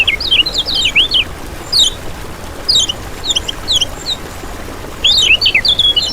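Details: Lemon-bellied white-eye (kecial kuning) training recording used as a lure for trapping and prompting birds: rapid high twittering phrases of thin swooping notes, repeated in bursts separated by short pauses.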